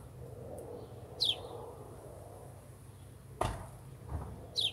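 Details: House sparrow, one of a male-female pair visiting a feeder, gives two short, bright chirps about three seconds apart, over a low steady hum with one sharp knock between them.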